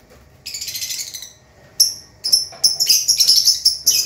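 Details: Lovebirds singing vigorously (gacor) among resting and paired birds; a raspy buzzing burst, a pause, then quickening shrill chirps running into rapid high twittering.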